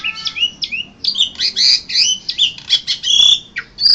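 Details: In an Indonesian singing contest, April 2014, the first-place Asian pied starling delivers dense harsh, squawky phrases mixed with shrill whistles, almost continuous and loud.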